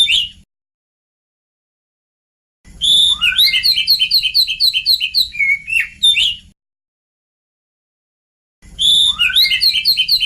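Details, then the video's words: Young Oriental magpie-robins are meant to answer this lure song: bursts of rapid repeated sharp chirps and rising whistles lasting a few seconds, separated by silent gaps, with faint low hum during each burst. "Kacer bakalan langsung nyaut..suara pancingan kacer bakalan"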